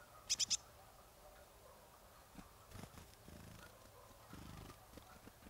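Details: Marsh tit recorded at Kawęczyn near Nowy Korczyn, Poland: three very short, sharp, high-pitched notes in a quick burst near the start, followed by quiet with soft low rumbling and faint handling noise.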